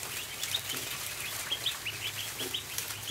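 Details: Ducklings on the barn floor at feeding time, giving thin, high peeps in quick, scattered bursts, several short notes overlapping, over a low steady hum.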